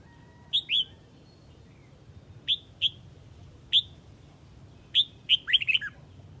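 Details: Huế red-whiskered bulbul calling to its flock with short, sharp whistled notes, often paired, spaced by pauses of one to two seconds, ending in a fast tumbling cluster of four or five slurred notes; soft low hum underneath.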